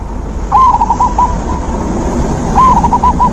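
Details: Zebra dove song, used as natural therapy to stimulate a dove that has stopped singing: two short phrases of about five quick, mellow, rolling coo notes, each opening with a rising note, over a steady low rumble.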